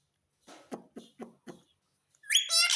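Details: Pet parrot talking, repeating the words mummy and papa: a run of five short speech-like syllables, then a bright, harsh screech at the end.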